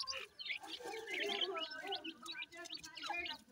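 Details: Chicks of the Grey francolin, feeding, make overlapping high squeaky chirps and short trills, with softer lower notes beneath and a few clicks.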